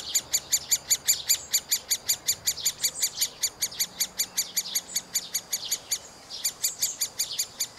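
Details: Rhythmic begging from young middle spotted woodpeckers inside a tree cavity: crisp, high, evenly pulsed squeaks, close to three a second, briefly pausing near the six-second mark before resuming, over a quiet background.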